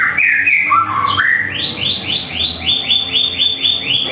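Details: Morning song of a white-rumped shama at home: opening clear whistles lead into a fast series of rising, high notes repeated about four times per second.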